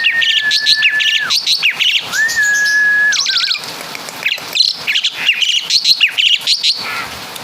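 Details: Asian pied starling, native to Java, in mimicry song of other birds: a long level whistle, rapid chirps, a second long whistle ending in a dip, then scattered high chirps and trills.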